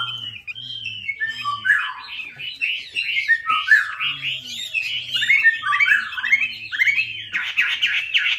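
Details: Chinese hwamei, or melodious laughingthrush, singing a chatty lure song: a busy stream of varied whistled and warbled phrases, sliding up and down and loudest near the end, over low repeated humming tones.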